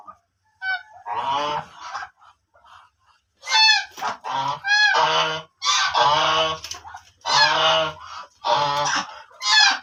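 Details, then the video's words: Black ducks calling loudly in a series of harsh, nasal, honking quacks, each roughly half a second long, coming in irregular bursts about once a second with brief quiet gaps between. "black ducks original sounds"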